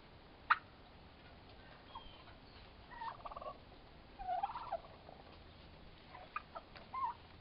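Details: Young male turkeys, about four months old, squaring off in a fight; a sharp click, then scattered gobbling rattles and short warbling notes spaced across several seconds against quiet background hiss.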